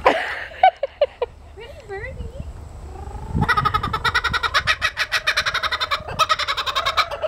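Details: Laughing kookaburra breaking into a rapid pulsed laugh after a few seconds of human speech and soft rising whistles, the cackle building into steady repeated notes.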